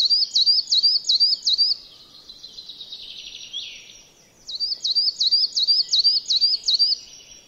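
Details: Coal tit in a Finnish yard, Joroinen, singing two bursts of high, quick repeated notes, five then seven, each a sharp rising-falling chirp, separated by a quieter pause with a soft buzzy sound.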